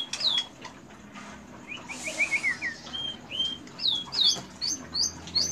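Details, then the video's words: White-rumped shama delivering cililin mimicry joined with canary-type material: clipped, high, down-slurred whistles in loose groups, with a short hissy burst near the middle. "Murai Batu Isian Cililin Panjang Full Tembakan"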